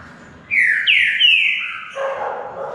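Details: Two caged green-winged saltators compete in a song contest. They sing loud, rich, fluty whistles: three quick downslurred phrases, then a lower, warbled ending.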